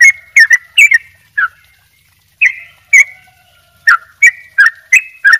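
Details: Yellow-vented bulbul in full, lively song with rapid doubled notes. Short, bright, clipped notes are delivered in quick pairs and bursts, with gurgling twists and a brief pause in between.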